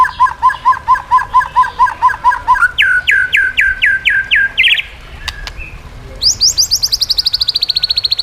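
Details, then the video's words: White-rumped shama singing a training song to prompt reluctant shamas. Paired notes are repeated steadily, then a run of downslurred whistles, a brief pause with clicks, and finally a rapid high trill. "masteran burung murai"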